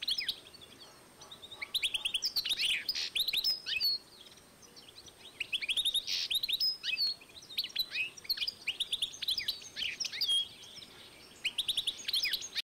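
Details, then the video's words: 2012 recording of a European goldfinch and canary hybrid singing long twittering phrases of high chirps and trills, broken by brief pauses, over faint background hiss. "European goldfinch X Canary"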